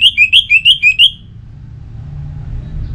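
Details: Kept orange-headed thrush from North Bali repeats a clear, slightly descending whistled note seven times within one second in a quick even series, followed by silence and low background rumble.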